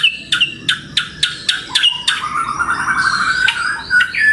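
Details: White-rumped shama song as a pet-bird lure and master: a string of sharp, evenly spaced high chips, about four a second, then a rolling, buzzy warble and a few whistles.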